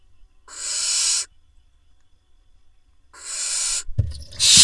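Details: Barn owl nestlings in a nest box in Israel on 21 June 2021, as the male brings a vole that one chick gobbles up: two harsh, rasping screeches about two seconds apart, then a sudden thump and rustle.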